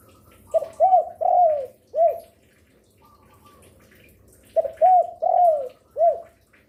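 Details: Lure spotted dove, described as a keen caller day and night; two matching song phrases about three seconds apart, each of quick stuttered notes, a long descending coo and a short final coo, faint higher notes between.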